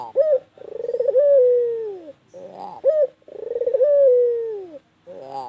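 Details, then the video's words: Captive white Barbary dove, a long-calling bird, giving a short rising note followed by a rapid pulsed trill that swells into a long falling coo, the phrase repeated twice. "Burung Puter Putih gacor Panjang"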